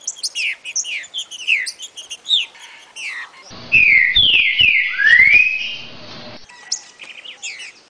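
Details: Trinca-ferro (green-winged saltator) "60 boi" song for young birds to learn: quick, high descending whistled notes, then loud, drawn-out slurred whistles that fall and rise, ending in short notes again.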